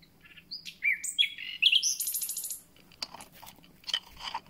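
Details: Recently arrived common nightingale in song: short whistled slurs and bubbling notes build into a loud, high, buzzy rattle lasting about half a second, followed by scattered softer clicks and chips.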